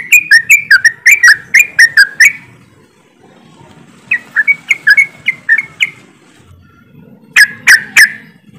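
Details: Group of yellow-vented bulbuls giving rapid 'ropelan' chatter as a singing lure: a fast burst of about nine bubbly chirps, a quiet gap, a softer run of notes, then three loud closing chirps.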